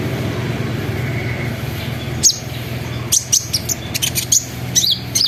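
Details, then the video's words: Sunbird lure song meant to make other sunbirds call, with trilling and rolling notes. After a quiet start, sharp high squeaky chips and short sweeps come in a scattered series over a constant low hum. "PANCINGAN KONIN NGERIWIK NGEROL NEMBAK GACOR BIKIN KONIN LAIN IKUT BUNYI"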